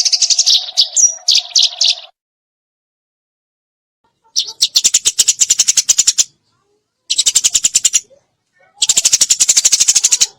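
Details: Eurasian tree sparrow masteran 'tembakan' song: an opening run of varied high chirps, then silence, then three bursts of fast, metallic, clicking chirp trains separated by short gaps.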